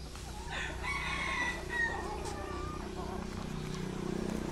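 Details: Young red junglefowl hens happily dust-bathing in the soil give soft clucks and a brief harsh, wavering call over a low steady rumble of background noise.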